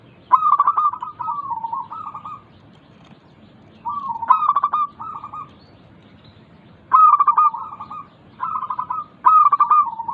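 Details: Song of a local zebra dove (perkutut), played to prompt lazy doves into singing; several phrases of rapid clipped notes and rippling low coos, with a quiet gap of about two seconds midway.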